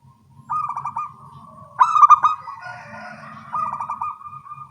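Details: Local zebra doves with small voices singing actively and answering each other in the morning: stuttering, cooing phrases of rapid pulsed notes, one louder overlapping burst in the middle, over a faint low hum.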